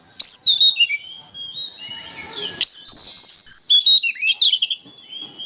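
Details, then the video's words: Energetic oriental magpie-robin song meant for training caged songbirds: a tumbling string of loud whistled notes, trills and downslurs. A brief softer whistled passage comes before a second dense phrase. "MASTERAN BURUNG KACER GACOR"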